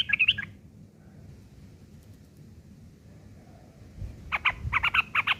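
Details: Rough ngeriwik chatter of a yellow-vented bulbul, kept as song material for long-tailed shrikes; a brief scratchy burst opens, a pause follows, then a run of harsh, rapid chirps closes.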